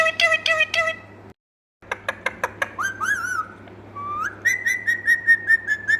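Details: Indian ringneck parrot talking indoors: bursts of clipped harmonic syllables, then a series of sharp clicks and wavering whistled notes, ending in a run of repeated squeaky chatter over a low electrical hum.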